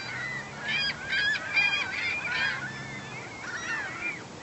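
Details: Herring gulls, a massive flock of well over a hundred gathered at a neighborhood lake, giving overlapping harsh, nasal calls with rising and falling wavering notes, many birds calling at once in a dense, continuous chorus.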